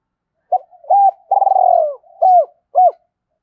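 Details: Spotted dove in 'kích bổi' calling style: one full phrase of a short opening coo, a hooked coo, a long throbbing coo sliding downward, then two short upturned coos, clean and close with no other sounds.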